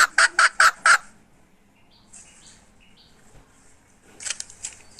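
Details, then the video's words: Hen recorded in 2021: four loud, harsh, evenly spaced squawks in the first second, then quiet with faint high tones, and a further run of weaker pulses near the end. "Suab poj qaib seev dib tuaj"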